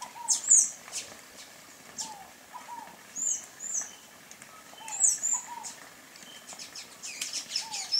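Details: High, thin, squeaky notes of a sayaca tanager, given singly and in pairs with pauses, over a backdrop of soft low falling whistles and faint distant chirping.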